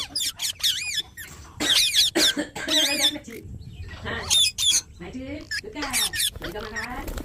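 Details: Parrot calling in a string of loud, harsh, wavering squawks and speech-like warbled notes, bursts coming in rapid clusters with short gaps between.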